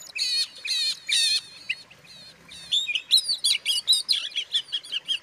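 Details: Oriental magpie-robin song meant to agitate rival magpie-robins: a few loud buzzy trilled bursts, a quieter pause, then a fast run of varied whistled and slurred notes.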